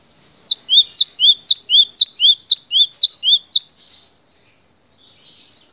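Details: Cinereous tit singing a steady series of seven bright two-part phrases, a low rising whistle then a sharp dipping higher note, about two per second, fading to faint background afterwards.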